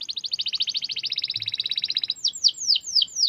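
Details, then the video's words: Singing canary in top form, kept as a cage bird, with a long rolling trill of rapid repeated notes that shifts into a slower series of descending whistled sweeps. "KENARI Gacor cuit cuit ngerol panjang"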